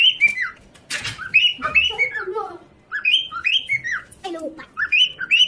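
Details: Pet parrot at home, playing with a baby and said to be talking: bursts of squawky, downward-sliding calls in irregular runs, with a lower harmonic chattering phrase near the end.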